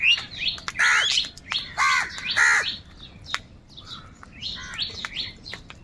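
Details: A big crowd of crows squabbling over food gives three loud, rasping, harmonic caws within two seconds. Fainter, scattered chirps and thin high notes follow.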